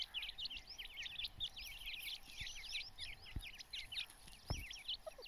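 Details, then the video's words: Dakhni teetar chicks, grey francolin young, calling together in a dense chorus of wavering, squiggly high cheeps, several birds overlapping continuously, over faint low background noise and occasional soft thumps. "Teetar Chicks | Teetar ke Bache | Dakhni Teetar"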